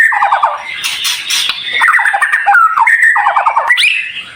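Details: White-rumped shama training song with dense, sharp fill: rapid stuttering trills repeated in short bursts, separated by brief whistled slurs and scratchy notes.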